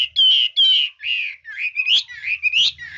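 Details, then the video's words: Hwamei singing a fine varied song: long rich whistled notes and slurred warbles, rising and falling, in short connected phrases. "Chú mi cực hay, đảo giọng hót tốt hót rất đẳng cấp"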